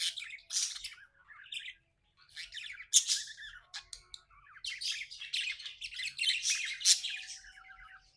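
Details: Happy pet budgerigar chirping indoors: dense bursts of scratchy, buzzy warbling chatter with rapid harsh notes, broken by short pauses, continuing throughout.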